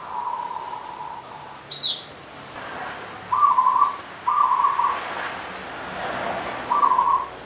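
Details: Zebra dove, a local Punden type from the Mount Slamet slopes in Banyumas, gives short bursts of rapid rolling coos, each about half a second, with gaps between. A single higher chirp from another bird comes early on.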